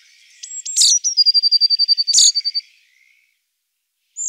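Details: Eurasian blue tit delivering a couple of sharp high notes that run into a fast, even trill of about fifteen identical pure notes, ending abruptly, then a lone high note after a pause.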